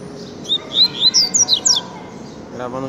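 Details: A double-collared seedeater, locally coleiro, sings a tiziu-style phrase of about seven clear, sliding high whistles, then a lower, rasping harmonic sound closes the recording.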